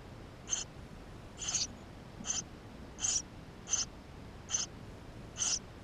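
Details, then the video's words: Eurasian tree sparrow young in the nest, filmed on GoPro; seven shrill, high chirps at a quick uneven pace, some slightly longer and wavering, over a low hiss. "Воробей полевой 160416 2 в №2016 6 160528 GoPro1440p птенцы внутри 13"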